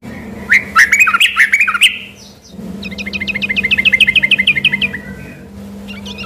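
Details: Yellow-vented bulbul (trucuk) singing busily, mistaken by locals for a white-rumped shama: bubbly, warbled phrases, then a fast run of clipped repeated notes, with a steady low hum behind.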